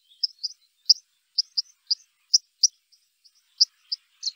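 White-throated dipper giving about a dozen sharp, high, clipped notes at an uneven pace, some doubled, with no other sounds in the background.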